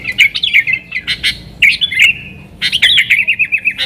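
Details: Yellow-vented bulbul 'nggaruda' lure song for attracting wild sooty-headed bulbuls: jerky chattering bursts and short warbled phrases, a quiet gap, then a quick rattling trill of repeated notes.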